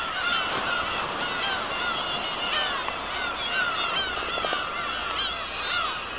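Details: Black-tailed gull colony on Kabushima, 2 August 2012, after a fireworks show: thick layered chorus of arched, nasal mewing calls from numerous birds, loud and unbroken throughout.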